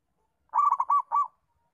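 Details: Local zebra dove used as a master lure to train young doves to call: a quick run of soft cooing notes near one pitch, then a longer rolling final note, in a clean recording with no other sounds.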